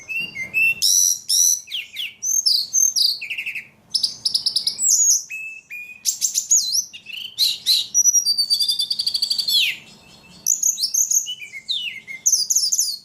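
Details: Highly vocal ledekan pouring out a long varied song of high whistles, downslurs, rapid buzzy trills and chirp clusters, with only brief pauses between phrases.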